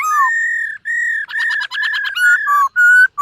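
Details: Silver-eared laughingthrush in morning voice training, singing while dancing: long level whistles in steady succession, one with a pulsing, rattled quality, ending on clear sliding notes.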